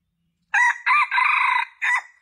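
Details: Lure call of a junglefowl meant to draw in males: a four-part crow, with two clipped harsh syllables, a sustained buzzy middle note and a short falling end note. No background noise.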